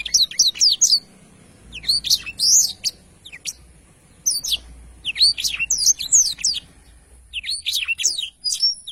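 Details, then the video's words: Blackthroat singing a rolling song of quick, high, sweeping whistles and sharp chirps in clustered phrases about a second long, separated by brief gaps, over a faint constant high-pitched hiss. "Tarikan Suara Blackthroat Super Gacor Ngerol Panjang"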